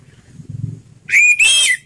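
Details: Orange-headed thrush, ngeplong slow style used to prompt silent birds: a soft low murmur, then two loud, drawn-out whistles, the first rising, the second level and slightly higher.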